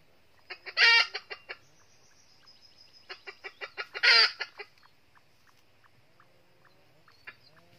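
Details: A red-eared red junglefowl hen from the northern region serves as a trap decoy to lure wild males. She gives quick clucks rising into a loud harsh cackle, then repeats the clucking build-up to a second burst, ending in scattered soft clucks.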